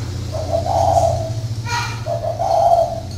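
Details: Caged spotted dove used as a decoy in northern Vietnam, cooing two low hollow phrases over a steady low hum, with a brief click between.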